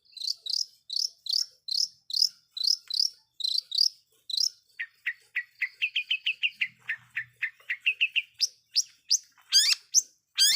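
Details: Long-tailed shrike song for provoking other shrikes: a steady, rhythmic series of squeaky chirps, then quicker, lower warbled notes and sharp, upward-sweeping squeals at the end.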